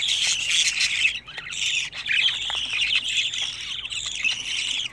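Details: Twenty-five-day-old budgerigar chicks make a busy, harsh chorus of scratchy squawks and chirps. The calls are high and tightly overlapping, with a short lull just after the first second.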